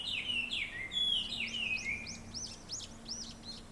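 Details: Birds gathered in a large black locust tree beside a town house chirp around sunrise: bright downslurred whistles give way to a run of quick, arched high chirps, with a faint low hum underneath.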